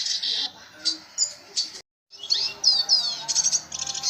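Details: Red siskin singing constantly: dense, high, buzzy twittering and rapid chattering trills with quick sweeping notes, broken by a brief silent gap midway.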